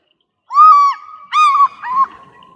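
A fish eagle gives three loud, nasal, ringing notes, each about half a second long and slightly falling, in quick succession. No other sounds.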